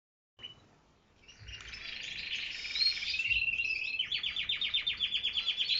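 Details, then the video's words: Canaries singing: after a quiet start, a dense warbling stream of high notes builds from about one second, then turns into a fast, evenly pulsed trill for the last two seconds. "Canarios cantando"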